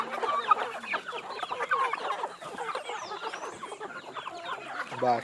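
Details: Free-range backyard chickens clucking while being fed: a busy chorus of short, overlapping clucks and squawks from many birds, with a brief spoken word at the end.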